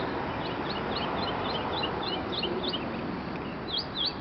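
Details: Bird singing near a walker in an Arlington, Virginia neighborhood at dawn in April 2011: high, short, rising-then-falling notes repeated in a rapid, uneven chain against a noisy urban hum.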